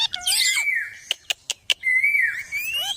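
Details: Parrot making cute, funny sounds: a noisy squawking chirp, four sharp clicks, then a long level whistle that dips and climbs again at the end.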